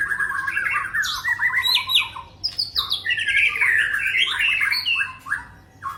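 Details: Male white-rumped shama, a prized songbird, delivering a rapid, continuous song of rich whistles mixed with scratchy, squawking notes, phrases tumbling up and down in pitch with only short gaps.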